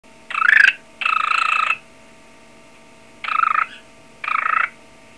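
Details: A hand-tame pet cockatiel mimics a ringing telephone in short, buzzy trilled bursts.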